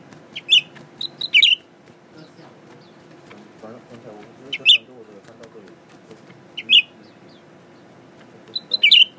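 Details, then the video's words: Male Blue-winged Leafbird kept as a new pet, tame around people, singing while facing a mirror: bright chirped notes and paired phrases recur every one to two seconds, with faint low murmuring midway and a constant background hum. "Pretty Blue Winged Leafbird Singing.. 蓝翅叶鹎爱唱歌"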